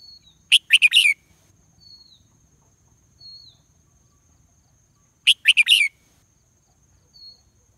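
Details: Red junglefowl crowing unanswered by any rival: two clipped multi-note crows about five seconds apart, with thin descending whistles from another bird between them.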